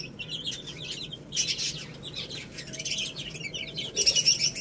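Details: Chicks eating rice, chirping in thin, high peeps that swell into a busy chorus, with rustling and pecking noises throughout.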